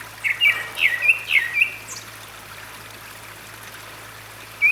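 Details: Grey-backed thrush singing by a valley stream at Gyeryongsan Mountain, South Korea, in May 2022, a quick series of short fluty whistles and warbles over about two seconds, then quiet flowing water and one last note.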